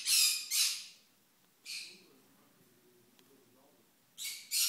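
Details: Small green-cheeked conures scream very loud, giving harsh, grating shrieks in short bursts, a double burst at the start, a single one after a pause, then another pair at the end.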